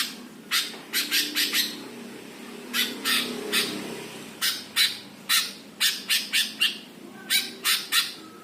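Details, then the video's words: Greater green leafbird performing a provoking master song, a long run of coarse chattering squawks delivered in quick irregular bursts, some notes tightly packed, others spaced, with faint low hum throughout. "MASTERAN CUCAK HIJAU BIKIN EMOSI BURUNG LAIN"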